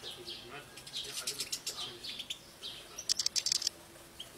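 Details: A flock of European goldfinches feeding on Spanish oyster thistle in an aviary in Tunisia gives bright, tinkling twitters and quick high chirps, with a fast burst of sharp notes near the end and some wing flutter.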